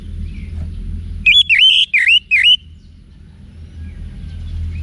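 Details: Wiksar song of an orange-headed thrush, played to provoke caged birds: one short burst of four loud, clear whistled notes that dip and rise, over a low steady hum.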